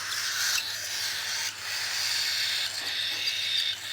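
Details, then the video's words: Cockatiel being hand-fed, producing an unbroken breathy, scratchy begging hiss with slight dips in loudness around the middle. "Handfeed cockatiel"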